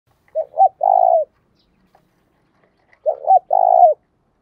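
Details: Spotted dove in the 'thúc' calling style called 'Đấu Bổi', with a field-type voice: two full coo phrases, each a short double note and then a longer rolling, purring coo falling at the end, with a long quiet gap between.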